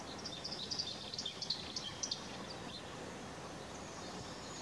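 Red-fronted serin giving a quick, high, tinkling twitter of short jingling notes for about two seconds, faint against steady background hiss.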